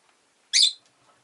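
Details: ['Rosy-faced lovebird (Agapornis roseicollis) lets out one loud, shrill, rasping chirp lasting about a quarter second against near silence.']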